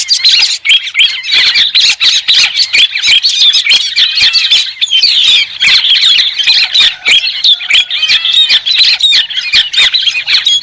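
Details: White-crested laughingthrush in a sustained, noisy chorus of overlapping harsh cackles and whistled squeals, keeping up a steady, crowded stream of notes.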